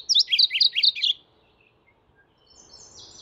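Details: Mourning warbler calling: a loud, quick rolling phrase of repeated two-part chirps for just over a second, then quiet, with a faint high twittering from another bird near the end and low background hiss.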